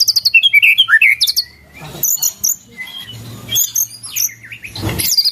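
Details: White-rumped shama song with cililin-style content (isian cililin): quick twisting whistled slurs and high chips, then scattered high sharp notes and short phrases separated by pauses, with a low hum underneath.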